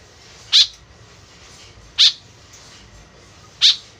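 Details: Vocally active white-breasted woodswallow whose call is used as a lure, giving three short, harsh, buzzy notes about one and a half seconds apart over a quiet background hiss.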